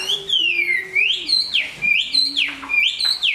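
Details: Loud, pure whistled slurs from a big Chinese hwamei that sings and fights well and is growing new feathers, each note sweeping down then looping back up, repeated a few times a second.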